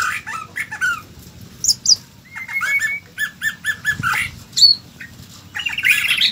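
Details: Varied white-rumped shama song: short whistled slurs, a drawn-out level whistle, a run of quick repeated notes, then high sharp chips and a scratchy burst.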